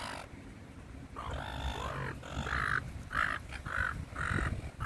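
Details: A quiet, murmuring start gives way to short, bright nasal squawks from seagulls being fed in a park, four in quick succession at the end over low rumble.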